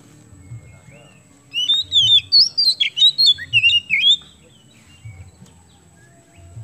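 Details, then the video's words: Oriental magpie-robin singing strongly, used to draw other birds into song: after a brief quiet start, about two and a half seconds of fluty whistled notes, each bending up or down, in quick even succession before fading to low hum. "KACER KEMBEN GACOR MAKSIMAL UNTUK PANCINGAN"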